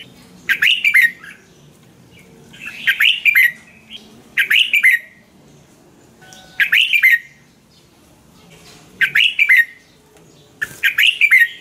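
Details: Red-whiskered bulbul song from Thailand, played to caged birds to make them lively: six short, bubbly warbled phrases with falling slurs, spaced about two seconds apart over faint background murmur.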